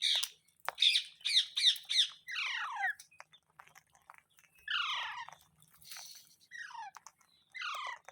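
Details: Pet parrot with a quick run of short harsh chips, then longer downward-sweeping screechy calls in separate bursts, with quiet pauses in a small room.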